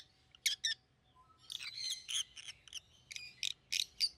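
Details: Quieter chirping from a pet pair of red-headed rosy-faced lovebirds, yellow and green: two sharp notes, then a run of rapid shrill chirps and squeaks over a faint low background hum.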